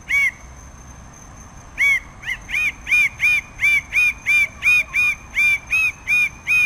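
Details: Red bird-of-paradise delivering a rapid, rhythmic series of loud, ringing, nasal notes, about fifteen in a row at a steady pace of nearly one and a half per second, after a single opening note and a pause.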